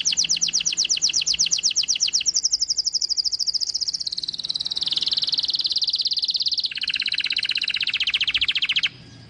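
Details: White-eye delivering a rapid high trill that changes into long sustained buzzy, rattling stretches, each held a couple of seconds before the pitch drops, ending abruptly.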